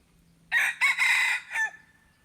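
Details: Red junglefowl crowing at a decoy site on 10 March 2022: a loud, harsh crow broken into several segments, a short opening note followed by a longer strained middle and a fading final note, over quiet background hum.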